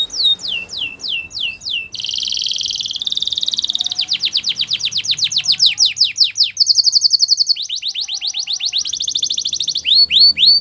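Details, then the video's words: Spanish Timbrado canary song used for training: bright, rapid trills at high pitch that switch every second or two between downward-sweeping notes, dense buzzy rolls and fast clicking tours, with rising slurred notes at the end. "Canary's Most Powerful Song For Training"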